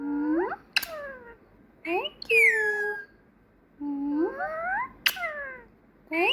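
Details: Pet female parrot, trained for months, that says Peekaboo, Thank You and Muah and has lately begun to whistle, giving drawn-out rising and falling tonal whistles and word-like sounds indoors, with short sharp clicks between.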